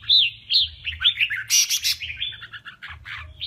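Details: Contest song of a male red-whiskered bulbul, used to goad rivals into singing: rapid chain of liquid, upslurred whistled notes, a loud harsh buzzy burst in the middle, then choppy chirps, with a low background hum.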